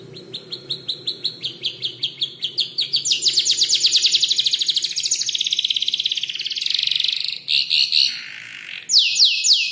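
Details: Canary about five months old rehearsing song drawn from tutor birds like ciblek, klik-klik and prenjak lumut; quick pulsed chips run into a long dense trill, ending with loud descending whistles amid background hiss.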